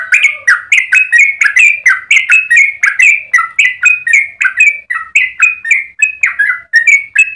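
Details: Yellow-vented bulbul in long rapid 'ropel' song, used for tutoring and luring other bulbuls; bubbly, slurred whistled notes poured out continuously at about four per second, alternating higher and lower pitches, with no other sounds.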